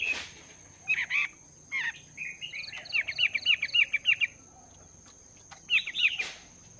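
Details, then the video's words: Caged Chinese hwamei, two months in the cage, practising its song in the morning: clusters of quick sharp slurred notes in a rapid run, with pauses and a steady high whine behind. "Chim Hoạ Mi Mộc VIP 2 Tháng Lồng Luyện Giọng."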